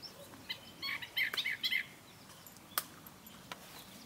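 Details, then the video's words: A gray catbird sings a quick, jumbled run of squeaky, scratchy notes for about a second, followed by a sharp click over a quiet outdoor background. "gray catbird singing"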